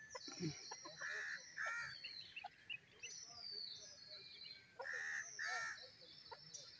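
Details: Grey francolin giving paired harsh, grating notes twice, a few seconds apart, over a busy background of thin descending whistles and chirps from other birds.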